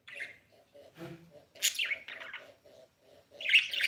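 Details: Blue pet budgerigar calling: high, scratchy chirps and warbling bursts at the start, middle and end, over a steady soft low pulsing tap repeated about every quarter second.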